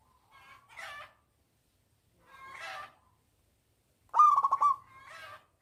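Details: Loud-voiced local zebra dove singing as a lure for reluctant doves: two soft, rough cooing notes, then one strong burst of quick stuttered notes that ends in a drawn-out murmuring coo.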